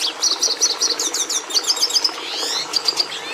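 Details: Red siskin song, a species prized by breeders for bringing red pigment into the domestic canary: a fast, continuous twittering of high buzzy notes and short trills, rattling and scratchy, with brief rising and falling whistled slurs.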